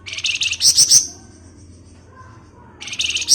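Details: Flamboyan bird in rapid 'ngebren' chattering song, used as a lure for other birds: two bursts of very high, fast buzzy chirps, about six notes each, separated by a quiet gap with a faint low hum.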